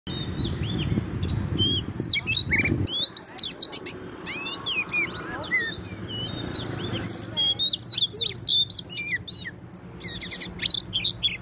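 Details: Wild Oriental magpie-robin at a trapping site, singing vigorously: a rich, varied run of sharp whistles, slurred upward and downward notes and scratchy chips, given in quick bursts, over a low rumbling background for the first few seconds.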